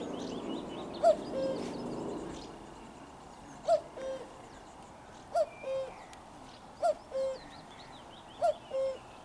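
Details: Close-up common cuckoo, recorded 4 June 2023, giving its two-note 'cu-koo' about five times, a higher clipped note dropping to a longer lower one, spaced roughly every 1.5 seconds, with other songbirds twittering faintly behind.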